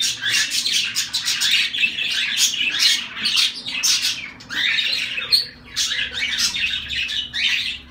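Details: Zebra finches keep a continuous, busy chorus of buzzy, nasal beeping calls, densely overlapping and loud throughout, with only a brief dip near the end.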